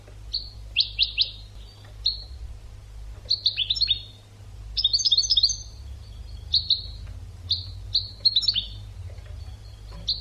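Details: Training song of a European goldfinch: lively sequences of rapid jingling chirps alternating with clear, slightly falling whistles, repeated throughout with short gaps, over faint low hum.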